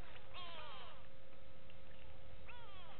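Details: Go-away birds at the Gowrie dam waterhole, Djuma Game Reserve, Sabi Sand Wildtuin, South Africa, 06/06/18: two nasal, drawn-out calls sliding downward, one near the start and one near the end, over a steady low rumble.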